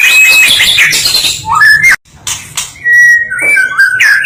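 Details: National champion white-rumped shama in melodious song: a high buzzy passage, a short gap, then clear sliding whistled phrases that rise and fall.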